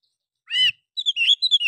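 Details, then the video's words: White-rumped shama in a fighter-style, emotional song meant to provoke other birds into fanning their tails, mimicking a sooty-headed bulbul: one full, harmonic note, then a quick, fluttering whistled phrase of high sliding notes. "suara Kacer bikin burung lain terpancing buka ekor ||Fighter. Suara Emosi"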